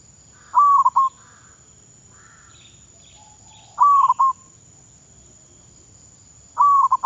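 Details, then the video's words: Thai zebra dove being trained as a decoy bird, repeating its cooing phrase three times about every three seconds: a level tone followed by rapid staccato notes, over a quiet background. "Baru Bela jar mengenal burung perkutut..Thailand ฝึกซ้อมนกต่อเขาชวา เพื่อนไทยและมาเลเซีย รับฟังเสียง"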